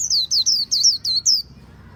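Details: Khuyen bird delivering a short burst of six shrill, downward-sweeping whistles in quick succession, each note clear and bright against a quiet background.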